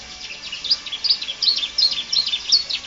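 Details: Canary song for training other birds, heard as jumbled high twittering notes, fairly soft, in a dense irregular stream.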